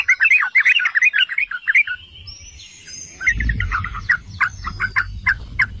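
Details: Yellow-vented bulbul, locally trucukan, in a lure song meant to set other bulbuls singing: a fast, gurgling burst of warbled notes, a short lull, then spaced bubbly chirps over a low rumble.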